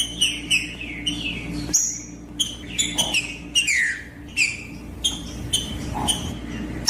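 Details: Song of a green-winged saltator outdoors in the bush, meant to provoke a rival bird: repeated clear whistled notes, some slurring downward, with sharp high clicks between phrases and a constant low background hum.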